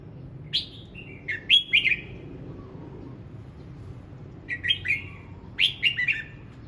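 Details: Red-whiskered bulbul singing in the morning to practise its voice: two groups of chirpy whistled phrases, each a string of three or four quick notes stepping downward, separated by a quiet pause of a few seconds.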